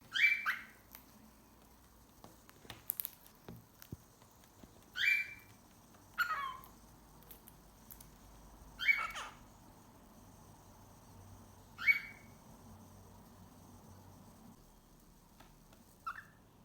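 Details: Two cockatiels playing together give short, harsh screeching calls, spaced a few seconds apart.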